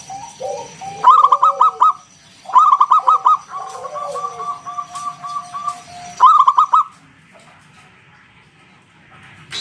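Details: Local zebra dove in ngalun 'kung bulat' style, used as a lure to make other doves call: three bursts of rapid, loud, ringing coos in quick rolls, with softer lower descending coos between.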